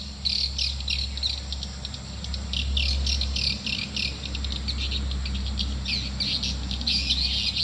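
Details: Swiftlet calls used to lure birds into a nest building, heard as rapid trains of sharp, high chirps and rattling twitters in uneven bursts, over a loud constant low electrical hum.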